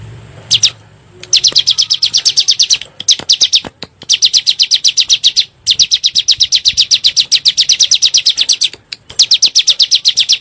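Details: Bar-winged prinia (ciblek gunung) lure calls used to provoke birds: repeated runs of fast, high, sharp notes, interrupted by several short breaks and clicks.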